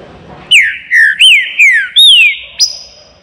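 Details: Baruc song of a Green-winged saltator kept in a flight cage: a phrase of five ringing whistled notes that rise briefly and then slur downward, ending with a short high upswept note.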